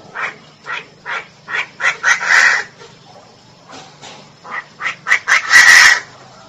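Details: Female Chinese francolin giving a series of short, harsh, clipped notes about every half second, speeding up into a louder rasping burst; a second similar run follows after a brief pause.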